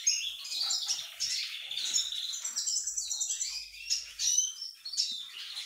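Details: Courting male siskin beside a dilute female, delivering a continuous fast, high warbling twitter mixed with thin whistles and buzzy trills.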